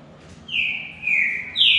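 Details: Three long slurred whistles from a green-winged saltator in a two-bird singing contest, the final one starting higher and louder.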